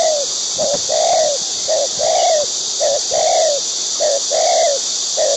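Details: Feeding its chicks, a wild white-breasted waterhen calls in a regular pattern of a short low note followed by a longer, arched, falling note, roughly once a second. A steady high hiss is heard throughout.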